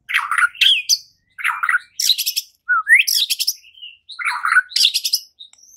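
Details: Lure song of a White-rumped shama meant to trigger fighting and singing: harsh, buzzy bursts alternating with quick rising whistles, delivered in fast, clipped phrases about every second.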